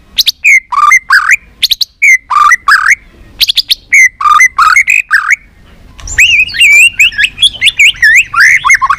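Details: Multi-voiced white-rumped shama song played to make shamas sing: repeated loud phrases of fluty whistles mixed with harsh notes, ending in a continuous, rapid, warbled stream of varied notes.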